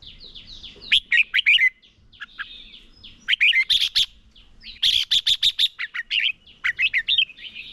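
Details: Red-whiskered bulbul decoy in competitive song used for training other birds: dense, lively strings of sharp, high warbled notes, some rapid clicky bursts, delivered almost continuously with brief breaks.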